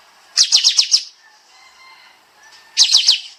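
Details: Kapas tembak bulbul singing in the dense 'nembak' style used to train songbirds. Two tight runs of five sharp, downward-slurred notes, about two seconds apart, with a faint hum between.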